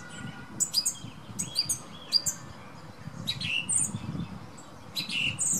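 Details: Thrush, a male, singing outside a bedroom window on a windy morning: varied sharp, high phrases with quick slurs and brief pauses, over low wind noise.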